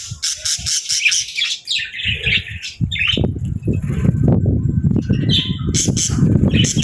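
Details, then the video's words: Friendly, playful pet budgerigar chirping happily: bright, rapid high chirps and chatter in the first seconds, then louder low thumping and rustling handling noise that largely masks the bird's calls. "Happy Budgie Sounds"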